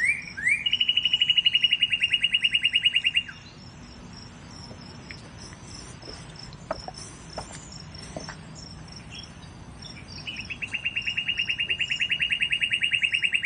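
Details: Northern cardinal song used as master training audio: two bouts of fast, evenly repeated clear whistled notes, each about three seconds long, over a steady high insect hum.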